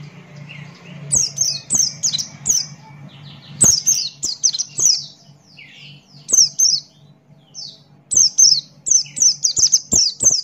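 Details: A Buxton's white-eye sings busily in 'ngalas' fashion, open-beaked: repeated runs of bright, high downslurred whistles in rapid groups, broken by brief lower chirps, against a faint steady hum.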